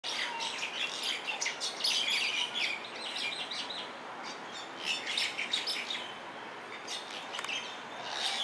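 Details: Introduced common mynas wrestling on a hotel lawn at Mauna Lani Bay, Big Island of Hawai'i, squabbling with a dense, rapid, irregular run of harsh, grating, chattering notes with a few higher squeaks mixed in.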